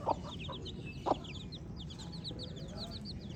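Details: Several baby chicks peeping: rapid high, downslurred chirps run across the clip, with two loud taps near the start.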